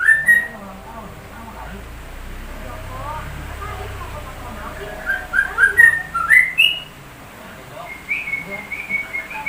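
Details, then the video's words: Sooty-headed bulbul with a shama-like song: an opening whistle, a quiet stretch with low background hum, then a run of sharp slurred whistles and a final level trill. "Burung TRUCUK rasa MURAI BATU"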